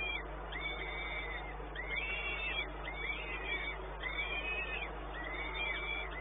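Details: Peregrine falcon at Orlen, Płock, Poland, 1 May 2019 at midday: arched, wailing calls repeated roughly once a second, some doubled, over a constant low electrical hum.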